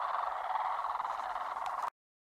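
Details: A Blue crane, arriving in flight to spend winter in the High Karoo, gives one drawn-out, rough, rattling croak at a steady mid pitch, lasting about two seconds before stopping abruptly.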